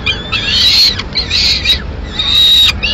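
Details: Peregrine falcon at a nest in Madrid, 21 May 2016, as the female feeds two chicks a piece of pigeon: three long, harmonic, whining calls with slightly wavering pitch, separated by short gaps, over a low background rumble.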